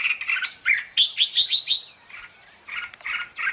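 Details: Red-whiskered bulbul decoy song for competition training: chattering opening notes, then a clear ascending run of five bright whistles, a brief hush, and three soft mellow notes to finish.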